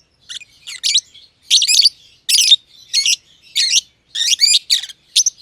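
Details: Green personata and green pied personata lovebirds, close companions kept in an aviary, trading harsh, buzzy double chirps at an uneven pace of about one or two each second.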